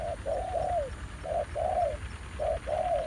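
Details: Spotted doves at a trapping site revisited after a year, with a ground decoy and an aggressive new wild male. Low mellow coos in short two- and three-part phrases, each ending in a drawn-out falling note, about once a second.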